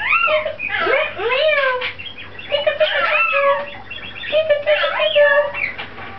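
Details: Pet lorikeet saying hello for its absent owner: a jumble of gurgling, speech-like chatter with rising and falling warbles, squeaks and short whistled notes, continuous and loud.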